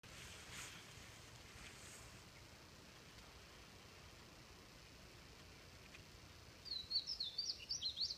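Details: Painted bunting singing in spring on Bald Head Island: a quick, high, sweet warble of tumbling notes near the end, after several seconds of soft outdoor hiss.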